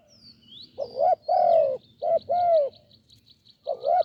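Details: Deep-voiced wild spotted dove heard while being lured on a branch with a decoy in Thailand; low, rounded coos, a short note then a longer drawn one, repeated, over a thin high-pitched ticking background.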